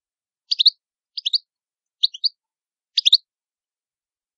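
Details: Italian European goldfinch repeating neat tinkling triplets of bright chirps roughly every three quarters of a second, with silence between bursts.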